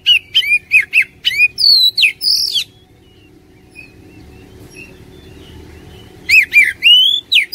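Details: Lure song of an Oriental magpie-robin meant to stir a lazy caged bird into full song: a rapid run of sharp, varied whistled notes and upslurs, a pause of about three and a half seconds, then another loud whistled phrase.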